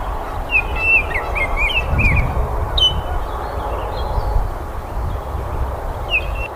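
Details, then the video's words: Baltimore oriole giving clusters of fluty whistles and slurred downward notes, a pause, then a last short phrase near the end, with steady low rumbling noise throughout. "BURUNG KICAU"BALTIMORE Oriole"(KICAU MANIA)Full Gacor"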